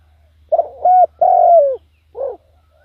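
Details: Decoy spotted dove cooing to lure wild doves: a brief stuttered note, then two low, mellow coos, the longer second one sliding down at its end, and a soft short coo after a pause; faint low hum underneath.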